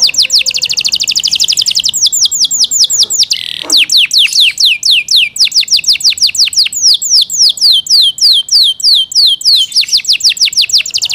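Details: Yorkshire canary kept as a pet, delivering a long loud song of rapid repeated high descending chirps, roughly three per second, briefly broken by a short buzzy burst before the chirp series resumes.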